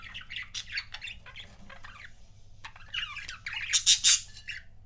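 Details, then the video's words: Pet budgies in couples giving rapid scratchy chatter and sharp squawks, a first busy stretch, a short lull, then louder shrill notes near the close. "CUTE BUDGIE COUPLES"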